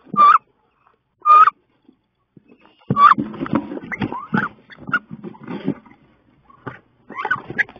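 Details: Two female wood ducks fight inside a wood duck nest box on 16 May during the nesting season, giving two loud rising squeals, then a burst of scuffling, thumping and harsh squeaks, ending in more squealing.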